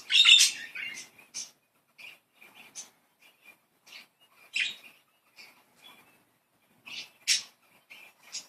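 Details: A group of playful pet budgerigars. A loud scratchy chirp opens, then scattered short tweets and clicks follow through a quiet room.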